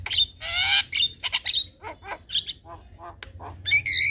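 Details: Evening song of a black-winged starling meant to teach young starlings: loud grating squawks and buzzy bursts, then shorter nasal notes and a final whistled phrase.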